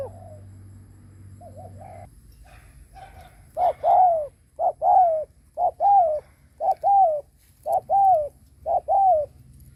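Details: Decoy spotted dove cooing to lure wild birds. Soft coos give way to a fast run of alternating short and longer arched coos, about one per second, loud and even.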